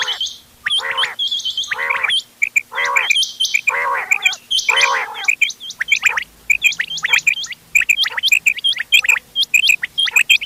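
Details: Several quail types, named ghungay wal, doghla and changa, heard in a hunting call mix from 31 October 2025; harsh harmonic bursts open the sequence before a long run of rapid high hooked chirps.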